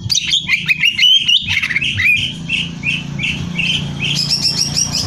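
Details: Energetic gacor song of a greater green leafbird for competition training: fast loud chattering and sharp notes at first, then a string of repeated rising whistled notes about every half second, closing with high rapid notes over low hum.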